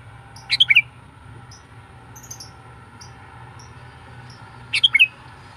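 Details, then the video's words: Trained decoy sooty-headed bulbul (kutilang pikat) gives two short bubbly chirped phrases about four seconds apart, with faint high ticks in between over a quiet low background hum. "melatih burung kutilang pikat"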